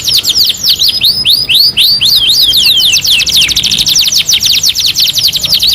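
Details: Canary singing a master-training song: rapid series of high descending whistled sweeps, then a fast trill of repeated notes, continuous and loud with no other sounds.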